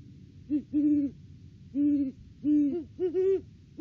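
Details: Great horned owls duetting in the off-season, December, at their nest tree: loud, low, steady hoots in a pattern of short-long, then long, long, and a closing short-long pair.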